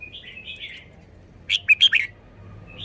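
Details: Red-whiskered bulbul in a cage showing off its song phrasing: soft warbling notes at first, then a loud burst of four rapid, ringing chirps.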